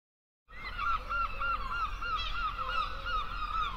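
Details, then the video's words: A gull over the sea gives a quick series of nasal, slightly wavering calls, about three per second, over a steady low rumble of wind or surf. "Odgłosy mewy"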